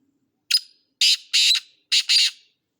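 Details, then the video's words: Harsh, grating calls of a black francolin: a brief lead note, then two longer raspy notes, a short pause, and a closing pair of scratchy notes, with no other sounds. "Kala Teetar ka khubsurat Awaz"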